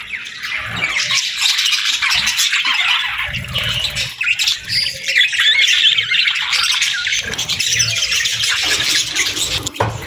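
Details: Several parakeets chirp in the morning, giving a continuous mix of shrill squawks, buzzy warbles and quick twitters that hardly stop, with soft low bumps in the background.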